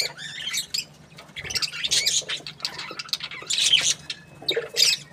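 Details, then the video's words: A happy budgie chatters in bursts of scratchy, squeaky warbling separated by brief quieter gaps, with one thin steady whistle near the end and a low hum underneath. "Happy budgie chirping sounds"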